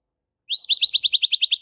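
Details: White-rumped shama in full vigorous song: a fast series of about a dozen sharp, high chirped notes, evenly repeated for over a second after a brief silence.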